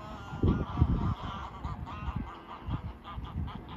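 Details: In autumn, a flock of migrating ducks stopping over on a shallow lake near Moritzburg Castle, Germany, calls together with nasal, honking notes overlapping in quick bursts over a steady low rumble of wind.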